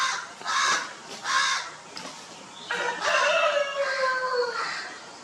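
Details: Rooster on an Indian poultry farm with Italian and local desi chickens, crowing while establishing territories: harsh caw-like bursts first, then a long harmonic crow whose tail slides gently downward, with farmyard background.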